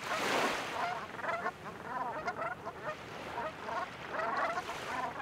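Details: A feeding flock of Brant bobbing and diving for seaweed gives a steady chorus of short, throaty, rolling cronks that overlap, with a faint hiss of water and wind behind.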